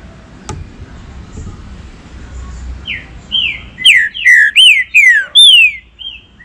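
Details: Green-winged saltator, a captive bird, sings to warm up and animate others: a low background murmur and a faint click, then a crescendo of rapid, loud, descending whistled notes with bright overtones.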